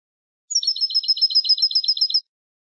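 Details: European goldfinch, Malaga classic ancestral singing style, for teaching young birds: a high thin note opening into a rapid repeated twitter of roughly fourteen bright notes lasting under two seconds.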